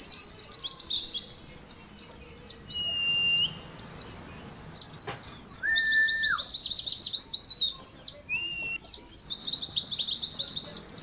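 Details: Ngalas-style song from an Oriental white-eye in a cage colony: long bursts of fast, high twittering phrases with brief gaps, plus a few clear, flat whistles at a lower pitch.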